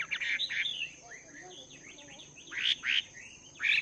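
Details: Chinese hwamei in a cage for two months, training its voice in the morning: loud slurred whistles at the start and end with softer warbled phrases between, over a faint steady high whine and background hiss.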